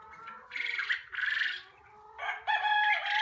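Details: Young quail at a poultry unit in a burst of noisy, grating squawks, a short pause, then louder, harmonically rich calls with a held tone.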